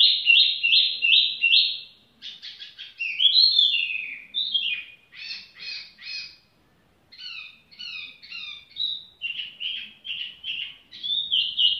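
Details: Lively tiểu mi bird song with no pressure: fast runs of repeated whistled notes, a few buzzy chattering bursts, and twisting slurs broken by brief pauses, over a quiet background.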